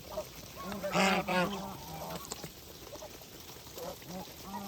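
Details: Farm geese calling while eating, with loud nasal honks stacked in a burst around the first second, then softer scattered honks and chatter over a steady background hiss.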